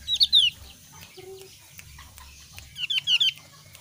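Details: Javan grey-throated white-eye of the thin-browed type, whose voice differs from the thick-browed form, giving short bursts of sharp, descending whistled notes in quick runs of two or three at the start and end, with faint background chatter.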